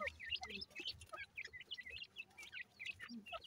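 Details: Grey francolin chicks calling: a busy stream of short, high chirps and peeps, many overlapping and irregular, some with quick upward or downward slides, with a faint low hum underneath.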